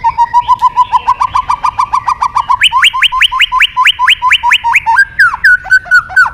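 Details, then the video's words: White-rumped shama in full energetic song, used as a training track to stir other shamas to sing: a fast train of short clipped notes, about two per second, stepping up into sharper upslurred whistles, then ending in slurred descending phrases. "Suara Terapi Burung Murai Batu Gacor Emosi"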